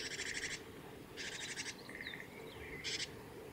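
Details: Japanese tit giving ground calls while bathing at the Kitafuji training area, Japan, on 20 May 2018: three harsh, buzzy rasping bursts, each about half a second long, with thin high sliding notes in between.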